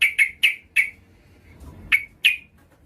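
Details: Female Yellow-vented Bulbul calling a male, used as a lure for a rival; loud, sharp chirps, four in quick succession, a short pause, then two more.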